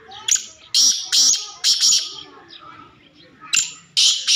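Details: Black francolin (Francolinus francolinus) call: harsh, grating, high-pitched bursts in an uneven series, about six notes in four seconds, with quiet gaps between.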